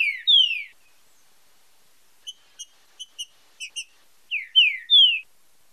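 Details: Green-winged saltator song in fibra com marcheado style for training: two falling whistles, a string of short evenly spaced tick notes, then three clear downward-sliding whistles.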